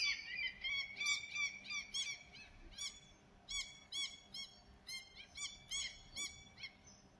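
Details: A Herring gull (Larus argentatus), recorded 30 June, gives a rapid series of loud, nasal, clipped yelps, about three per second, each ringing and harmonic-rich, over faint background hiss.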